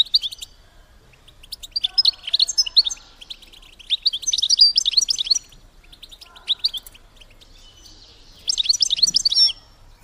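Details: Female European goldfinch, calling to stir males toward mating, delivers bursts of rapid, high twittering every few seconds, with quieter scattered chirps between the bursts.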